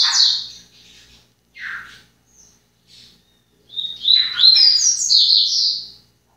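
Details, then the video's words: Seedeater, a kept individual, singing; a few short scattered chirps and a buzzy note, then a long loud run of rapid high twittering lasting over two seconds. "Papa capim"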